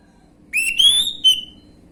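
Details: Orange-headed thrush whistling in a lure recording aimed at untrained birds: one long clear note that rises and then slides slowly down, ending in a sharp higher accent.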